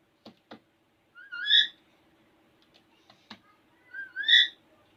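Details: Playful, talkative pet Alexandrine parakeet vocalising in front of a mirror: two loud, whistled, harmonic calls, each rising then dropping, about three seconds apart, with sharp dry clicks and taps between them.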